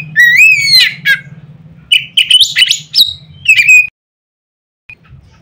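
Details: White-rumped shama, loud provoking song: a rising whistled phrase with a rough ending, followed by a quick run of varied chirps and short high whistles, then near silence.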